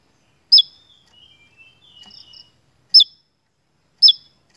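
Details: Javan tesia lure recording: a sharp, falling chip, then a soft, rambling warble of thin twittering notes, followed by two more loud chips about a second apart, in a quiet background.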